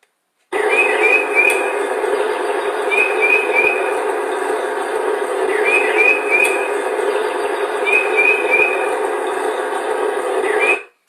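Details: On Long Island, an early-season Northern Mockingbird imitates a spring peeper, giving short rising peeps in quick sets of three. Real peepers peep only once, so the repetition in threes marks it as a mockingbird.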